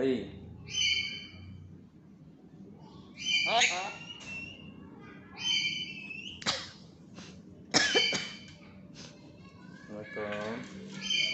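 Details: A tame pet black-capped lory gives harsh, squawky calls and voice-like talking phrases, such as greetings, in short bursts, some scratchy and rising, with quiet room noise between.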